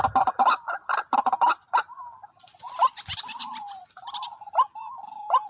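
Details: White-breasted waterhen calls at a decoy spot that drew two birds: a rapid cluster of harsh clucking notes, then drawn-out nasal whines broken by sharp upslurred calls, with a brief hiss in the background.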